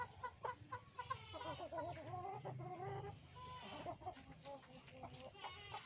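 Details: Ayam Ketawa, the laughing chicken, crowing: a quick run of short staccato notes, then a long wavering, warbling stretch like laughter, ending in more clipped syllables; low background hum throughout.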